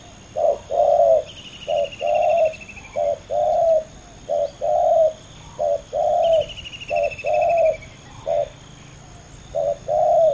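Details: Spotted dove, two males competing against each other, giving steady low coos in short-long pairs repeated roughly every second, while a high falling trill sounds twice in the background.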